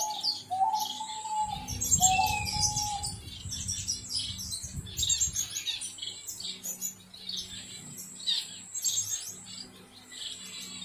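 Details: Gouldian finch chicks begging: a constant chorus of high, thin, wheezy chirps, with a lower whistled note early on and rustling noise in the first seconds.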